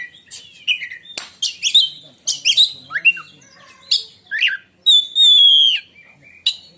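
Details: Indonesian black-and-white kacer, the oriental magpie-robin, in loud shrill contest-style song likened to a lightning strike: jumbled chattering and falling slurred notes, then one long sustained pure whistle and a short closing note.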